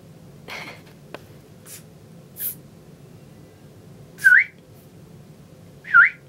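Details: Pet parrot in a cage indoors, mimicking a "psst" sound it picked up on its own; several short, breathy hissing bursts a second or so apart, the last two each joined by a quick rising whistle, in a quiet room.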